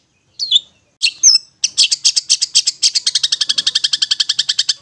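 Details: Long-tailed shrike ngetet song for coaxing stressed or silent shrikes: two high slurred notes, then a long, steady, rapid series of ticking notes that speeds up toward the end.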